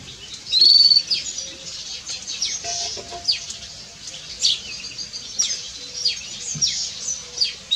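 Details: Chirping house sparrows: a steady high whistled tone opens, then a long series of sharp, falling chirps arrives in uneven clusters over a soft background hum.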